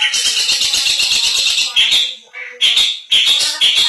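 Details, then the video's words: Long-tailed shrike (cendet) delivering an 'isian mantan' song: a dense, scratchy chatter of rapid notes broken by brief gaps and short harsh squawks. "suara burung cendet isian mantan"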